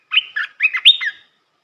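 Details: Red-whiskered bulbul training song for young birds: one short, lively phrase of bright, clear whistled notes that rise and fall quickly, ending on a sharp high note and a brief downward slur.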